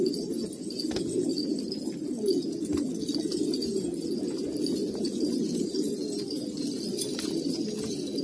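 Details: Old purebred Kabul pigeons in Afghanistan give a continuous low, rolling coo, a steady murmuring drone with occasional faint clicks and light background noise.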